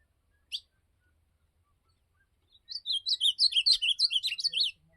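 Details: Ultramarine grosbeak (azulão) singing during a field outing (campeada): a sharp high click, a pause, then a fast warbled phrase of about two seconds, with many short up-and-down notes packed closely together. Faint low rumble underneath.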